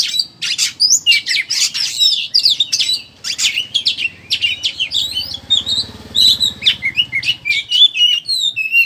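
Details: Oriental magpie-robin ngeriwik chatter played as a lure to make birds sing: rapid, busy stream of harsh chirps and squeaky whistled notes with almost no gaps, a faint low rumble beneath in the middle.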